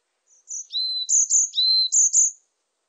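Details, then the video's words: Varied tit singing: clear, thin high whistles alternating with lower downslurred notes in quick two-part phrases, about seven notes over two seconds against a silent, clean background. "곤줄박이, 여러번 듣기, 곤충소리, 새소리"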